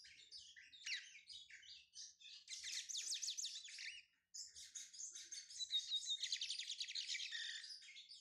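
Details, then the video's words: Brown (pardo) Lined Seedeater warming up its song, rapid high twittering and buzzy trilled phrases running continuously, one short gap halfway, with a clear whistled note late on. "Esquentando-meu-bigodinho pardo"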